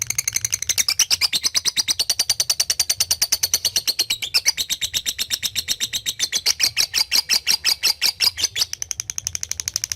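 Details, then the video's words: Lovebird in a training recording meant to make young birds sing eagerly, calling a rival; a steady, very fast run of shrill, high chirps lasting ten seconds with brief wavering in pitch, indoors. "LOVE BIRD NGETIK MEMANGGILLAWAN AGAR RAJIN NGEKEK"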